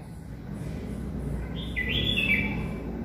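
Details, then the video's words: Red-whiskered bulbul singing in its natural sound: one short, clear whistled phrase about two-thirds through, sliding up, then dipping and warbling down. A steady low rumbling background noise runs throughout. "Bulbul Sound |Bulbul's Singing & its Natural Sound | Different Kind of Red whiskered Bulbul's voice"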